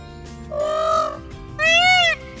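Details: Indian peafowl roaming tame outside the ISKCON temple in Vrindavan gives two loud, nasal, wailing cries, the second rising and falling, over faint background music.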